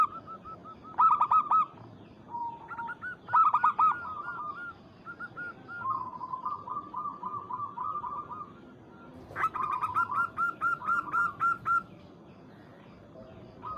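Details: Local Zebra doves calling to rouse a rival. Loud short phrases of quick coos alternate with softer strings of repeated notes, and a long, fast ringing series follows near the end.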